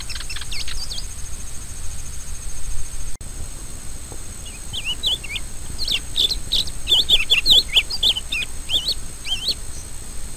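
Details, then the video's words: A rusty-collared seedeater (coleiro do brejo) gives a few notes, falls quiet, then bursts into a rapid chattering run of twisting, high whistled notes lasting several seconds, over a constant faint high-pitched hum. "CANTO DO COLEIRO DO BREJO"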